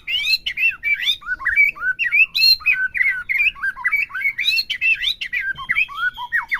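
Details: Song of a white-rumped shama, used to stir a caged bird to sing: a continuous, rich medley of looping whistles, sharp upslurs and scratchy chatter over more than six seconds.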